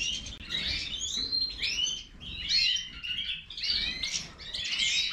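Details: Goldfinch, Major type, in full song, its twittering phrases run in bursts of rising and falling tinkling notes with brief dips in loudness between them.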